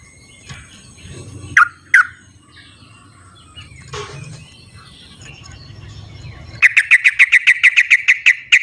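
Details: Sooty-headed bulbul recorded in the wild, used to call bulbuls that refuse to sing; after two sharp downslurred notes, a long rapid string of about fifteen even, bubbly notes, over insect hiss and faint rustling.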